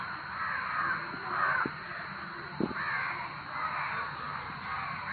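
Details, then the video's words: A flock of crows makes loud noises, a dense mass of hoarse caws rising in waves, with two sharp clicks or knocks in the middle. "காக்கா இப்படி கத்துனா ஏதாவது ஆபத்தா???-Crowd crows making loud noises"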